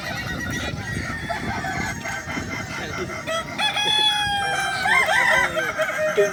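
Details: Sunday 6 October 2024 contest at Danau Bawah for Kukuak Balenggek roosters; drawn-out harmonic crows swell from a steady note into a loud, wavering, stepped ending over crowd noise and other crowing birds.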